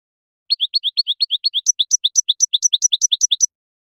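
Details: European goldfinch wild field-style song, used to tutor captive goldfinches: a steady run of bright, high chirped notes about eight per second, shifting midway to a slightly higher, sharper repeated figure. No other sounds.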